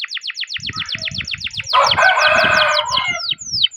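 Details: Canary singing long rolling song meant to stimulate other canaries: fast series of sharp descending whistled notes, then a dense buzzy warbled passage and a few slurred downward notes, with soft low thumping sounds underneath.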